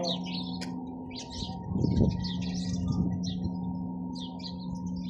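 Sparrows chirp in quick, uneven bursts of short, high notes over a steady low electrical hum.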